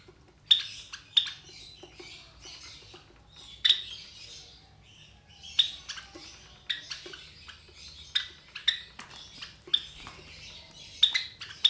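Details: About 23 days old, three captive White Java sparrow chicks keep up a run of thin, sharp, high chirps and brief squawky notes, irregular and sometimes paired, against a faint low background hum.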